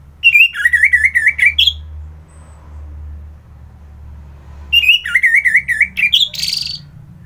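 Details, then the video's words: Orange-headed thrush in Kubutambahan, Bali, singing in the morning: two bursts of fast, wavering, warbled trills that rise and fall, each ending in a higher squeaky note, with a short rasp after the second, separated by a quiet gap. "Merdu Kicauan ANIS MERAH Gacor"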